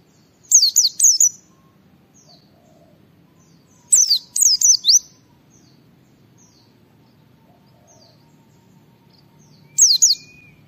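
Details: White-eye singing in ngalas style, meant to make other white-eyes sing: pairs and triplets of high, sharp descending whistles, a long quiet stretch with faint soft notes, then one last burst.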